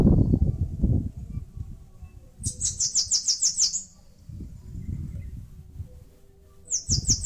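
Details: A Bananaquit, building its nest in a mandacaru cactus in Brazil's Nordeste, gives one fast run of about seven sharp, high-pitched, slurred notes, then starts another at the end; low rumble and a brief noise burst at the start.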